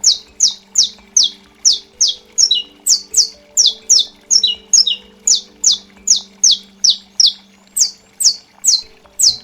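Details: Saffron finch, a caged contest bird, giving its strong clicking "estalo" song used to warm up and train for singing tournaments: loud sharp descending notes repeated about two or three per second, with a faint low hum behind.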